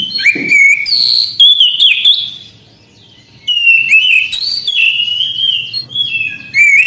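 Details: Bright whistled song from an orange-headed thrush: ringing sliding notes and quick twittering inserts in energetic bursts, with a pause of roughly one second partway through.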